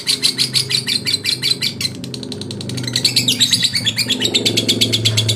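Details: A male lovebird's rival-provoking chatter, with rapid high, buzzy pulses in long runs, briefly faster and softer near the middle, then resuming steadily over a low background murmur.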